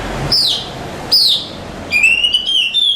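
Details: Contest champion Oriental magpie-robin gives two sharp descending whistles about a second apart, followed by a long clear whistled note with slight wavering.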